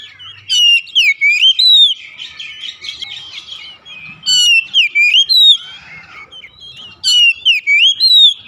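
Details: Singing oriental magpie-robin for therapy of a reluctant household bird: repeated bursts of clear swooping whistles alternating with softer buzzy warbling, phrases recurring every few seconds.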